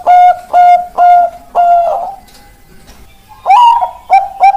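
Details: Bangkok-type zebra dove, ringed bird with a big, long voice: four longer coos with a trailing final note, a short gap, then a new phrase beginning with a rising note and quick clipped coos.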